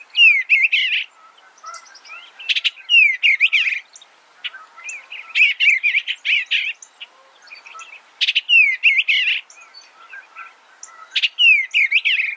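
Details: Eastern bluebird delivering a steady series of short, slurred, downward warbled phrases, roughly one every second or two across the recording, with quiet gaps between.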